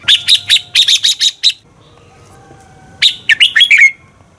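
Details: A red-whiskered bulbul lure bird, used to train captive bulbuls for singing competitions, sings a bright, fluty phrase of about eight quick chirpy notes, pauses, then repeats a rising, twisting phrase ending in a sweet whistle.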